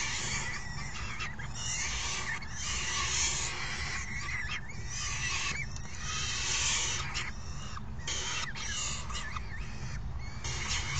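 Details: Falcon youngsters being fed by an adult on June 3, 2018 keep up harsh, scratchy screaming in repeated bursts with short gaps, overlaid by thin wavering squeals from several birds.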